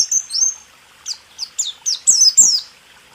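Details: Sparser white-eye song from a 2023 caged-bird training recording: drawn-out high whistles followed by about seven separate short descending notes spaced unevenly over three seconds.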